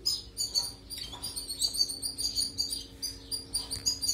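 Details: European goldfinch song for training canaries: a steady run of high, bell-like twittered notes in quick pulses, evenly sustained throughout, with a faint low hum behind.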